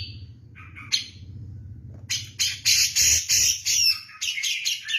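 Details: Javan grey-cheeked bulbul singing hard in kapas tembak style: a thin whistle and a few short notes, then a string of harsh, loud, squawky bursts about three per second.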